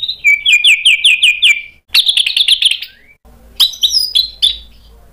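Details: White-rumped shama in full song with sharp mimicked fills, used as a lure to get other birds to answer: a rapid trill of repeated clear notes, then a burst of buzzy, warbled phrases and high, bright, varied whistles.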